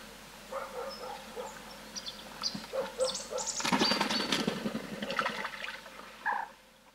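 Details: A young-of-the-year common moorhen in autumn at a wild-bird feeder in central France, 11 November 2018, gives short, soft clucking notes in irregular bursts; a loud splashing rush of water breaks in midway.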